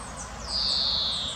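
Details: A foraging female common chaffinch in Munich's Botanical Garden gives one long, pure, high whistle that gently descends and fades. Soft twittering from other birds sits above it, with a low, steady hiss behind.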